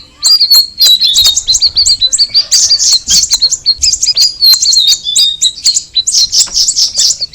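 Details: Cucak rawis (straw-headed bulbul) giving a dense, high-pitched stream of rapid chirps and short twittering notes, nearly unbroken for the whole stretch with only brief pauses.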